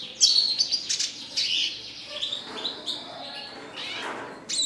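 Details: Red siskin singing vigorously, opening with loud sharp chirps and buzzy notes, then a long, softer stretch of twittering and warbling before a final high squeaky burst.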